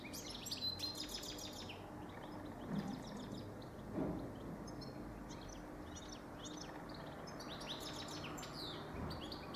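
A goldfinch sings a fast, tinkling run of twittering and buzzy notes, nearly continuous, over a steady low background hum.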